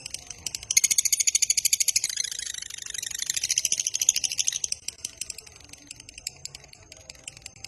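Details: Lovebird 'ngekek panjang' long trill for luring other lovebirds. A sudden burst of rapid, high, raspy pulses runs about four seconds, then trails off into scattered faint chirps.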